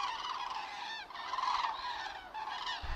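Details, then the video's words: Cranes of the species Grus grus migrating south over Lahn-Dill-Kreis, Germany, on 31 October 2022 in poor weather, giving clear rolling trumpet calls in three bursts, rich in overtones, with little background noise. "Herbstzug der Kraniche Grus grus"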